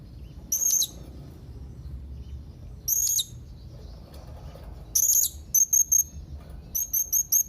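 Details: Young blue-crowned hanging parrot calling rivals with sharp, buzzy, very high single calls, then a quicker series of short thin chirps in pairs and fours toward the end.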